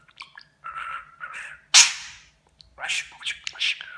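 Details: Talking pet budgerigar imitating Turkish words and phrases; soft buzzy murmurs, then one loud sharp click-like burst, followed by a quick scratchy string of speech-like syllables.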